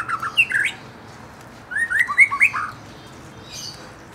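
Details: Young forest white-rumped shama provoked into song: a short burst of sweet slurred whistles, a pause, then a longer run of rising and falling whistled notes.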